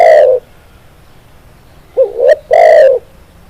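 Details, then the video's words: Spotted dove, a tekukur used as a master track to prompt captive birds to sing, giving loud low hooting coos: one note, a pause, then a quick two-part coo and a longer drawn-out final coo, over a quiet background. "SUARA BURUNG TEKUKUR, MASTERAN CEPAT GACOR"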